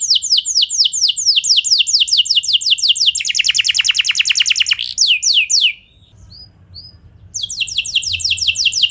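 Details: Canary song meant to provoke other canaries into answering: steady series of falling whistled notes, then a dense buzzy rolling trill dipping lower, more sweeps, a brief quiet pause with faint chirps, and the trill resumes.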